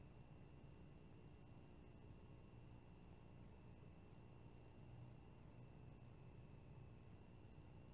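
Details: Steady low rumble and hum of distant traffic with faint broadband hiss; no calls or animal voices stand out at any point.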